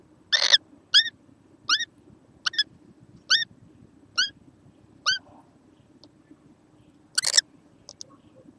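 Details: Recorded 6 November 2014, a young kookaburra utters a series of thin rising squeaks about every 0.7 seconds, with a harsh noisy burst at the start and another near the end.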